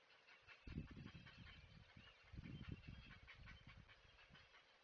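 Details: Great blue heron parent at a nest, recorded 20 May 2023 by a heron webcam at Chesapeake, giving an alert to stay away: harsh, low, rasping squawks in two loud bursts, over a steady bed of higher background chatter.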